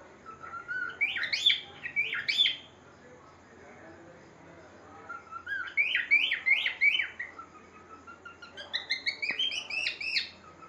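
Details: Pet cockatiel singing indoors: three bursts of bright, warbling whistled phrases, each a quick run of rising and falling notes lasting about a second and a half, separated by short pauses, over a faint steady hum.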